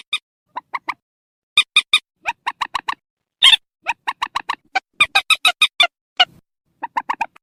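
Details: Purple swamphen calls played at night to lure birds toward nets: rapid series of nasal clucks and shriller notes in overlapping bursts, with one strained squawk partway through and a final run of quick notes.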